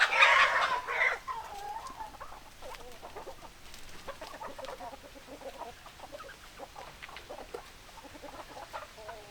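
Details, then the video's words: Hens open with a loud, harsh squawk, then settle into repeated, rounded, mid-pitched clucks and murmurs at an irregular pace, about two per second. "Chicken Sounds Noises Hens Clucking Roosters Crowing"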